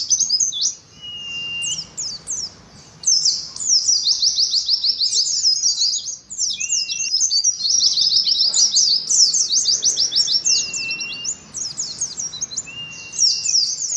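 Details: Oriental white-eye singing ngalas style in a song contest: continuous high, fast twittering of quick downslurred notes, broken by short gaps, with several faint flat whistles beneath.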